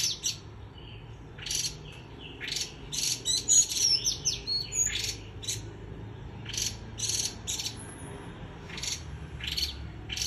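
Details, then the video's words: Rapid líu choè singing from a white-eye: dense, irregular strings of sharp, very high chips about four per second, with occasional thin whistled notes woven between bursts. "Khuyên líu choè"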